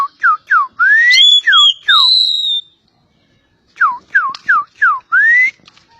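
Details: Javan pied starling from Java giving repeated downslurred whistles, a few longer rising whistles, a silent gap, then another quick series of falling notes.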